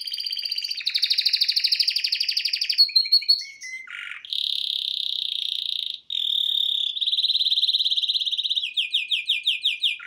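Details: Male canary singing indoors in front of a TV: long, loud trilled rolls at changing pitches, a short dip to lower notes, then sustained buzzy tours and a run of quick downward-sweeping chirps.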